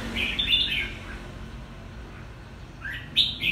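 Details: Quảng Nam red-whiskered bulbul, a two-season bird, delivering a chattering whistled phrase, falling quiet for about two seconds, then starting a fresh bright phrase that rises sharply.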